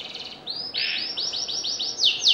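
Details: Canary in full, persistent song: a brief high buzzy note, then a run of bright rising-falling slurred whistles repeated about five times a second, ending in two sharp shrill notes.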